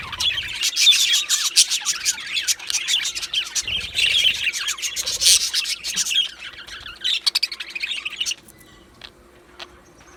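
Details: Rapid chattering from two male Australian budgies, fast tweets and clicks for about eight seconds, then fading to a few scattered chirps and near quiet at the end.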